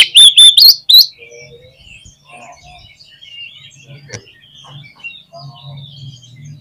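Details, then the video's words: Oriental magpie-robin (kacer) singing in 'gacor' style: a loud, quick burst of rising, whistled notes in the first second, then only faint scattered chirps and a low rumble. "SUARA KACER GACOR"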